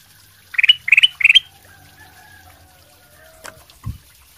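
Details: A bulbul (kutilang emas) sings as a lure song, giving three quick, bright chirping phrases in about one second, followed by faint tones, a click and a low knock.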